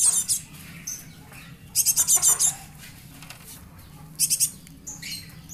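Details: Young Java sparrow kept as a lure bird, calling in short bursts of four to six rapid, very high, sharp chips. The bursts are separated by pauses of one to two seconds, with faint single notes and low background hum between them.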